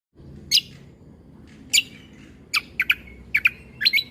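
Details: Cucak kombo (leafbird) song used as a tutor recording for young magpie-robins to learn a 'tembakan' (shot) style: sharp, widely spaced high chirps and short downward-sweeping notes in scattered bursts over a quiet background.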